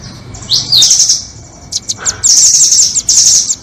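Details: Lure audio for luring nuthatches, 'doraemon' and red-billed types: a high, slurred, rising note leads into a rapid, high trill. A few isolated chips follow, then two long, continuous, rattling high trills.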